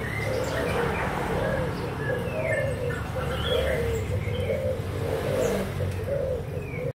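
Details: Young spotted doves of Malaysian and Thai lines, recorded 24 June 2021: soft, low cooing phrases repeat roughly every second over a steady low rumble, with faint high chirps from other birds.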